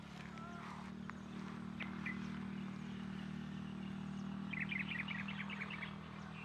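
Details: Bee-eaters, species unconfirmed, call from a tree in scrubland near Sam Roi Yot, Thailand, in the evening: a quick run of short, chirpy, rolling notes near the end, over a steady low engine-like hum and scattered bird chirps.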